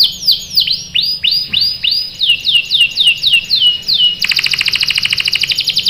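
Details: Vigorous canary song used to prompt other canaries to respond and roll, with a steady series of about twelve loud, downward-hooked whistled notes, then a sudden fast, buzzy rolling trill.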